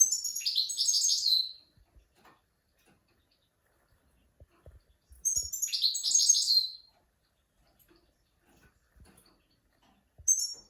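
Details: Master goldfinch song for teaching young goldfinches and mules: two dense, buzzy, high twittering bursts about a second long, separated by a few seconds of near silence, with a third starting at the end.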